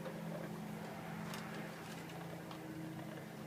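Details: Low motor hum, as from a boat or vehicle, runs throughout with a few brief clicks and knocks, and no animal call is heard.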